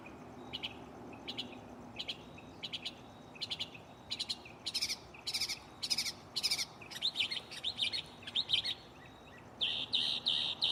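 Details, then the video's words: Mockingbird singing from a tree close by at night, shuffling through its catalog: evenly spaced buzzy notes that grow louder and harsher, then tumbling chatter and a dense, scratchy, high phrase. "Shuffling bird chirping live on location"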